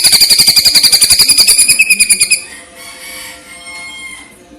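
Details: Greater green leafbird, masteran training recording mixing platuk and cililin styles with pauses: a rapid chatter of clipped, ringing notes, some four per second, stops after two seconds and leaves a soft background hush.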